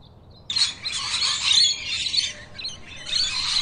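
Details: Two rainbow lorikeets sharing a drink: after a half-second lull, harsh screechy chattering bursts fill the high range, rising and falling in loudness, with a brief pause near two and a half seconds before the raspy chatter resumes.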